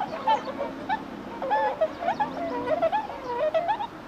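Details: Many swans call together while landing on water in early March, when they head back north. The honking notes come in bursts, some rising and wavering.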